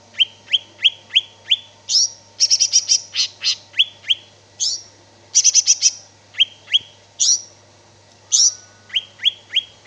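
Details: Greater green leafbird (cicak ijo) in full, lively song: rapid series of downslurred whistles near mid-high pitch alternating with high buzzy trills and sharp rattling bursts, phrases repeated with short gaps, steady low hum behind.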